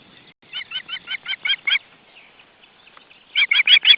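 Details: Osprey nest in June 2012 with the family present: a steady run of about eight softer, slightly hoarse chirps, a quiet pause with faint murmurs, then four louder chirps.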